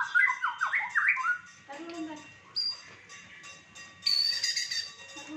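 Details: White-rumped shama singing a fighter-style song with rich fill phrases: rapid slurred downward whistles, then varied warbles and a bright high trilled burst, loud and continuous with short pauses.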